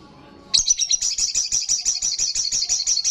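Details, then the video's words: Olive-backed sunbird singing loudly in ngalas style: a sudden, sustained, shrill trill of rapid high notes, evenly pulsed, filling most of the stretch after a quiet start. "Sogon gacor Ngalas kencang"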